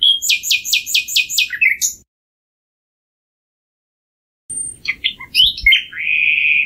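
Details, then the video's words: Six sharp, high repeated notes from a common nightingale open the strophe, then a pause. A varied phrase of twittering notes follows, ending in a sustained whistled tone. "Canto del ruiseñor común"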